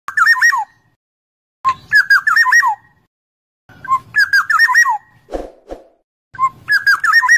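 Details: Black-naped oriole song: short rich fluted whistled phrases, each about a second long with liquid up-and-down notes, repeated after pauses of roughly a second, with a brief rasping note near the end.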